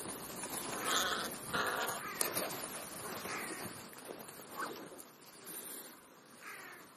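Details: Crows feeding between breakfast and lunch. Several rough, nasal caws come in the first seconds, with fainter calls later, all over a continuous rustling, hissy background.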